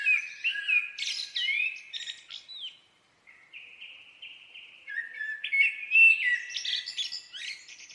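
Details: Common blackbird singing continuously, with one brief gap. Rich fluted phrases rise and fall and are mixed with thin, squeaky high twitters. A quiet, clean background.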